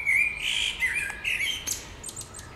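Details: A close bird sings in spring: a loud, bright whistled warble with quick up-and-down slides and a few sharp high ticks fading out at the end.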